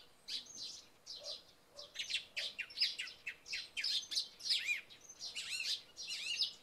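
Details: Song thrush singing after night rain in the early morning. Bright phrases are repeated in quick bursts, with many rising and falling notes and some soft chirps from sparrows.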